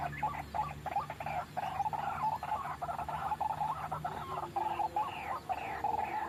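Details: White-breasted waterhen lure for trapping: loud, harsh, bubbling phrases in irregular bursts, overlapping croaks and clucks with brief pauses, over a low hum.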